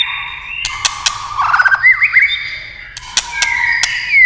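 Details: White-rumped shama prompted by tail-tapping clicks, giving a softer phrase of sustained whistles and a quick trill sliding upward, with several sharp clicks and a long falling whistle at the end.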